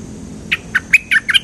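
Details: Cream-vented bulbul, used as a lure sound: five short, bright chirped notes spaced about a fifth of a second apart. The last notes are doubled and slightly higher, over a quiet background.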